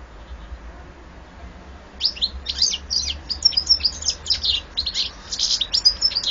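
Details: European goldfinch, silent for two seconds, then launching into a lively run of high, jangling twitters and short buzzy notes that continues to the end.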